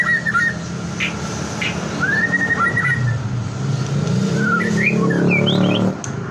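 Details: White-rumped shama song used to trigger other shamas to sing: scattered whistled notes and slurred phrases, with quick upward whistles near the end, over constant low engine-like rumble.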